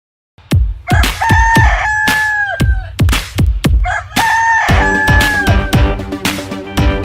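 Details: Rooster crowing twice: long, drawn-out cock-a-doodle-doo calls that hold steady and then drop at the end, set against a thumping percussive music beat.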